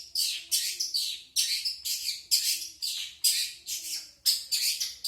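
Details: Long-tailed shrike singing a plain, non-isian song without mimicked content: a steady series of scratchy, buzzy notes about half a second apart, each loud attack fading quickly, with a faint low hum underneath.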